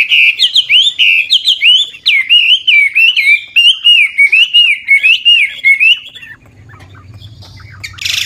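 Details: Old wild-caught Chinese hwamei singing continuous varied, trilling phrases with shifting voice to spur newly caught birds into song: rapid whistled notes rising and falling for six seconds, then a quieter stretch with low hum and a brief high burst at the end.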